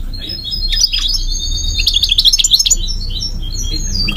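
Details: Migratory goldfinch giving a high, jumbled twittering song with quick chirps and brief trills over a steady low background rumble.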